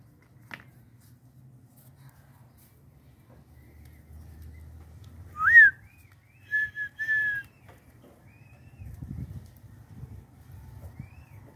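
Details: Red-winged tinamou, a tame bird being coaxed to step onto a person's hand, gives one loud rising whistled note, then two shorter level whistles in quick succession, over low rumbling and faint handling noise.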